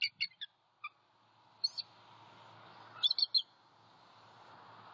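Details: At night on 13 January 2021 at a Southwest Florida nest, male Bald Eagle M15, knocked off his perch by an owl, returns calling with the incubating female: thin, high chittering notes in bursts of two to four over faint hiss.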